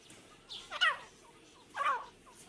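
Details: A pair of Irani teetar partridges; two hoarse calls with sharp downward-sweeping notes, a second apart, above a faint hiss.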